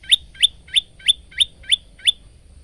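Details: Male Bar-winged prinia singing for use as a tutor for cage birds: seven evenly spaced, high, sharp chirps delivered about three times a second over a quiet background.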